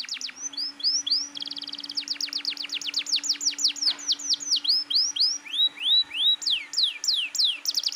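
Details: Canary singing hard and persistently, used to provoke young canaries into singing: fast runs of high descending whistled sweeps, then rising and falling slurred notes, about four per second, with a faint steady low hum beneath.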